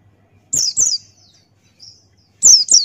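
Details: Buxtoni white-eye, a male pleci, singing 'ngalas' with open beak as tutor material. Two sharp high downslurred chirps, a faint short note, then two more loud falling chirps.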